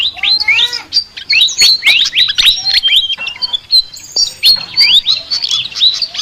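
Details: Chattering song of a flycatcher, sikatan, said to be very unique: rapid twittering of bright whistled slides and clipped chirps, with short steady high tones mixed into the busy stream.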